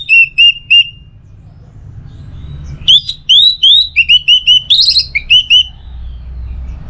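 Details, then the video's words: Orange-headed thrush song used to lure kept birds into singing: three clear upslurred whistles, a pause, then a run of about a dozen repeated rising whistled notes, over a low hum. "Masteran sekaligus Pancingan Burung ANIS MERAH"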